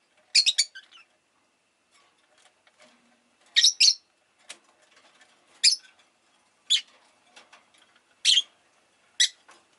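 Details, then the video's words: Pet rosy-faced lovebird chirping in shrill, harsh bursts roughly every one to two seconds, with quiet rustling and clicks in the gaps. "Lovebird Chirping Sounds"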